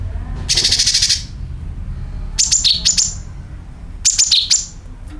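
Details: Sooty-headed bulbul lure sound with calling and dragging notes: a harsh, rasping, high buzz lasting about half a second, followed by groups of sharp, high, descending chirps.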